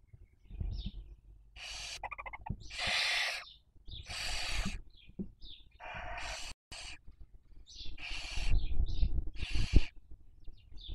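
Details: Hissing Barn owls filmed by nest webcam in Spain's Cabañeros National Park, Castilla-La Mancha, 2023 breeding season, young being raised; harsh rasping hisses come one after another, some stuttered, mixed with brief high squeaks over steady low background noise.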